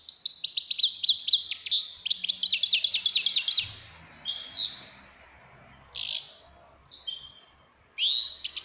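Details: A grey-headed goldfinch sings rapid rattling trills that break into scattered sharp chirps and buzzy slurred notes, with gaps of silence between phrases and faint low background rumble.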